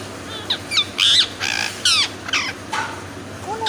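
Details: Indian ringneck parakeet screaming loudly in harsh, raspy bursts, several strident squawks in quick succession, then a softer whistled note over a steady low hum.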